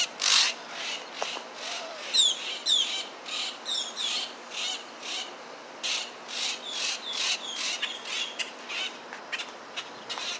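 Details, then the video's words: Baby grackles calling, with crows around. Rasping, scratchy high notes repeat roughly every half second throughout, with a few sharp chirps early on. "Baby Grackle Birds"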